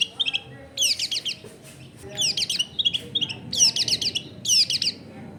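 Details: Long-tailed shrike singing to draw other shrikes into song: bursts of rapid, harsh, scratchy high notes in clusters about once a second, separated by softer whistled notes, with low background noise.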